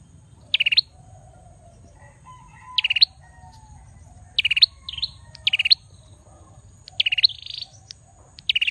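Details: Male bar-winged prinia singing short high bursts of rapid buzzy notes with a sharp rising end, spaced irregularly every one to two seconds, with a few softer looping notes; steady low hum.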